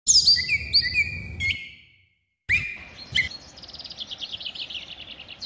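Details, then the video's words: Unidentified bird giving high, clear whistled notes and slurred chirps, some falling, in two bursts separated by a short silence, then a fast run of thin repeated notes. "sound of bird"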